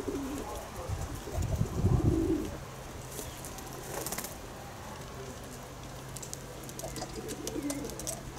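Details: Kept pigeons giving low, soft coos early and late, with a burst of wing flapping in between over a constant low mechanical hum.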